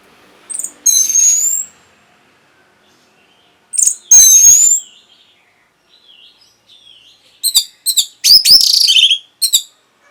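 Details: Orange-headed thrush singing to arouse breeding condition and draw a reply from other birds. Spaced phrases of high, sharp whistled and buzzy notes come in short bursts separated by silences, with faint soft twitters between them.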